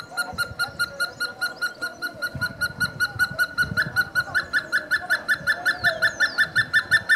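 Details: Hemprich's hornbill from Ethiopia's Dessie area calling with a steady, rapid train of sharp piping notes, close to three per second, growing slightly louder toward the end, with faint low background noise.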